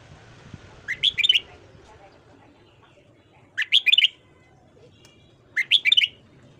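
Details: Red-whiskered bulbul morning song for voice training: three rich warbled phrases of four or five quick bright whistled notes, repeated roughly every two to two and a half seconds over a low hum.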